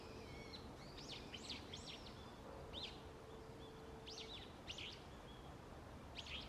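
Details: Forest birds on an autumn early morning. About eight sharp, looping chirps sound in irregular bursts, with a faint steady low tone and background hiss throughout.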